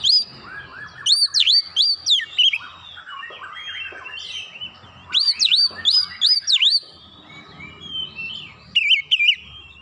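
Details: Oriental magpie-robin lure song to draw a response: loud bursts of looping, sharply rising and falling whistles in quick clusters, separated by softer chattering warbles.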